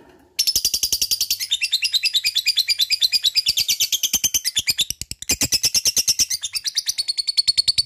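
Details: Long chattering ngekek song of a lovebird, starting abruptly and pouring out quick scratchy high chirps about three per second, with a short dip near five seconds before resuming strongly.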